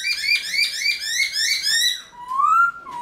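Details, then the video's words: Caged black-throated laughingthrush (khướu bạc má) singing in the early morning in a forest-voice style, used to rouse other laughingthrushes: a fast run of bright, bouncing whistled notes, then a long clear rising whistle ending in a short drop. "Luyện Khướu Bạc Má Hót Sáng Sớm Kích Chim Khướu Căng Lửa Hót Giọng Rừng"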